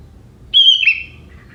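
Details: A young wild sooty-headed bulbul from forest delivers a prenjak-filled song. There is a single thin high whistle, followed by a quick descending twitter and faint trailing notes.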